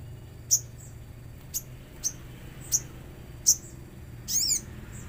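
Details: Common iora with nature sounds: a string of five sharp, high, clicking ticks at irregular intervals, ending in one longer arched whistled note, over a soft low hum.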